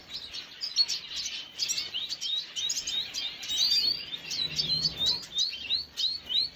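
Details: Red siskin, recorded 5 June 2022, giving high, thin chirps, with clear upslurred tweets repeated about once a second over a softer background twitter.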